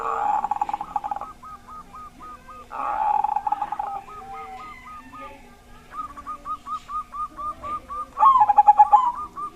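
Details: Zebra dove with a big voice, used to prompt other doves, even silent ones, to start singing: three loud stuttering, pulsed cooing phrases, each about a second long, over a steady series of softer repeated hooked coos from other doves.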